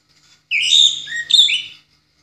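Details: A single energetic phrase from an orange-headed thrush in ngeplong style, used to train other songbirds: rich, rolling whistles with quick upward and downward slurs over about a second and a half.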